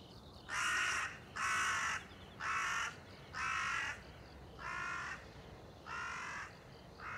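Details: A run of seven harsh crow caws, steady at about one per second and gradually softening toward the end, recorded 30 September 2020 amid faint rhythmic insect trilling.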